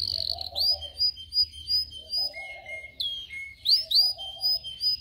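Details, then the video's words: Training song of a canary, used to teach other canaries to sing, made of chirped, swooping whistled phrases. Each is repeated roughly every second over a soft low background murmur. "canario canary song"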